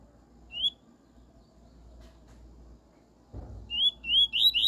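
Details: Double-collared seedeater singing the pure 'tui tui' song style, used for tutoring a young bird. One rising whistled note, a quiet pause with a low thump, then a quick run of rising, slurred whistles that grows louder.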